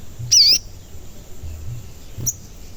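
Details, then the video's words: Sogon calling, used as a lure to make other sogon sing and get agitated: a single loud whistled note that dips and then rises, followed by a faint short chip, with low background hum. "Pancingan Sogon Agar Bunyi dan Emosi"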